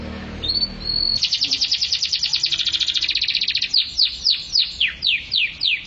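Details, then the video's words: Canary in full song, a short whistle leading to a rapid rolling trill of many repeated notes, then slower falling whistled slurs. "Suara burung kenari mabok teler"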